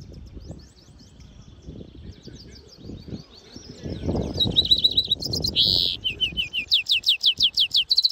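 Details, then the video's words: Singing European goldfinch mule: quiet distant twittering builds into loud quick whistled notes, a short harsh buzzy note, then a long run of evenly repeated sharp chirps, with low background noise throughout. "European Goldfinch mule singing - Jilguero Mixto"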